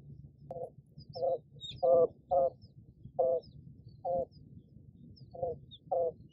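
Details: Japanese quail hen on her nest gives soft, low clucks, about eight in six seconds at an uneven pace, calling to her hatching chick, whose high peeps cry out in the background.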